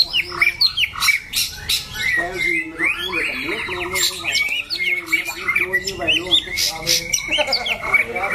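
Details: A caged white-rumped shama bred for song contests, described as loud-voiced, harsh, changing its tune and lasting long in contests, pours out rapid whistles, chirps and sharp clicks. Men chat in the background.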